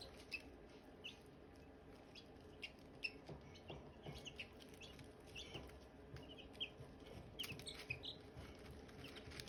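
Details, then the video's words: Chirping Silkie chicks among hatching eggs: frequent brief high cheeps from several birds at irregular intervals, with light knocks and shuffling underneath. "Silkie chicks chirping, Hatching eggs chirping sounds"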